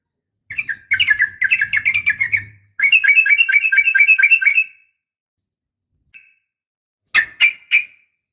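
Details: Uplik tarung fighting call of a female sooty-headed bulbul meant to make males reply. It has two stretches of quick, rattling repeated notes, a faint blip, then three sharp, clipped chirps.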